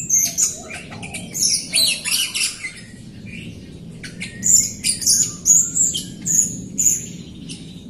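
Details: Jalak Rio myna used as a singing lure for lazy, untrained Rio birds; dense, scratchy high chatter followed by a run of sharp repeated whistled notes, with low background hum.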